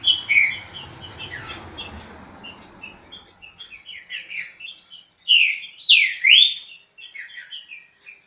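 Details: Green-winged saltator performing its fast Chucrinho song: soft low rumbling noise and faint notes at first, then loud clear slurred whistles in quick succession, with sharp high chips between phrases.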